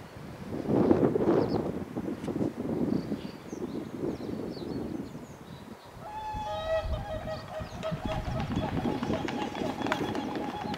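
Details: Male and female whooper swan pair, recorded 11 April 2020 in Finland: after six seconds of rustling, windy background, nasal trumpeting notes begin, held and rich in overtones, repeated in quick sequence while small birds chirp faintly above.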